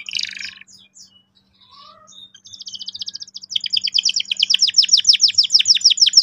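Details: Singing canary played to help young canaries roll sharply: soft scattered notes open, then a strong trill of downslurred notes that builds in loudness and pace.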